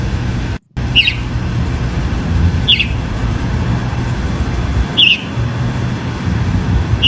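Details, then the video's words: Chalk-browed mockingbird singing persistently outdoors in nature; four brief, sharp, slightly descending notes spaced roughly two seconds apart, set against constant low rumbling noise with a momentary dropout near the start. "Sabia do campo cantando muito"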